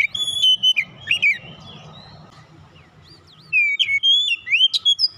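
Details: Kacer (oriental magpie-robin) lure song meant to get other birds singing: sweet sustained whistles and quick slurs, a quieter gap with low background rumble, then resumed looping whistled phrases.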